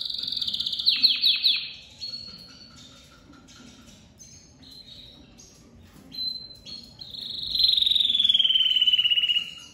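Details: Domestic canary, crested lavandeira, emerging from moult and singing very loudly: rapid high trills at the start, sparse chirps in the middle, then a long loud falling whistled roll.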